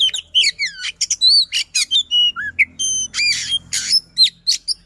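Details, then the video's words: Caged white-rumped shama of the Sisinga style singing a dense, fast mix of sharp chips, pure whistles, downslurs and buzzy rolls. "Kacer SISINGA, Speed Rapat Durasi Dapat | Roll Tembak dan Ngotot, Pancingan Kacer Macet Bunyi."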